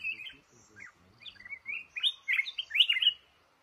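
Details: Male red-whiskered bulbul in a trap in a cashew orchard starts softly with scattered whistles over low knocking. It builds to a loud, rapid, tumbling run of rising and falling notes.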